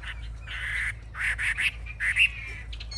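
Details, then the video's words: Caged Chinese hwamei, a fierce fighting bird, displaying with wings raised high and tail fanned; short broken phrases of clear whistled notes and brief rising slurs, separated by gaps, with low steady hum underneath. "Họa mi chơi cánh cao đuôi xòe - Em này đấu ác"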